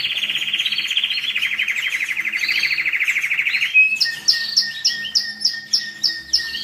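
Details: Canary song used to stimulate birds for breeding. A long rapid rolling trill lasts nearly four seconds, followed by sharp high notes repeated about twice a second over a lower sustained whistle.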